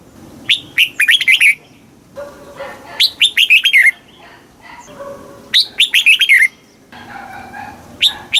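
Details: Southern master-song style of a caged red-whiskered bulbul from Thailand, played to excite caged birds and train young birds; three fast phrases of sharp, falling whistled notes roughly every two and a half seconds, with a faint low tone between.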